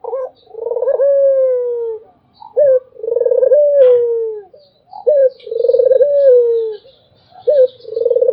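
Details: Barbary dove cooing steadily. Rolling, vibrating coos glide into long falling tones, and each one is punctuated by a short sharp coo, roughly every two and a half seconds.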